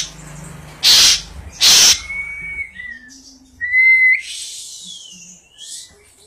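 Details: Asian pied starling singing: two loud harsh broadband bursts, then clear whistled notes near the same pitch, a low buzzy note and a rising whistle, with scratchy high notes near the end.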